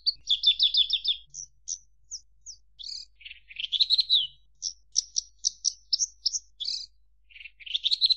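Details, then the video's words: Javan bush lark singing a varied medley: an opening rapid trill, then scattered sharp chirps and buzzy warbling phrases, delivered almost without pause. "Suara Kicau Burung Branjangan"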